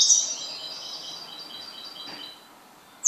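A European goldfinch sings a rapid, tinkling twitter of high, liquid notes that run together for about two seconds before fading.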